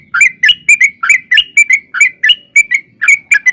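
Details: Sooty-headed bulbul delivering long 'ropel' lure song meant to prompt replies: tight, bubbly two-part slurred notes tumbling in quick succession, clear and loud, faint low hum behind.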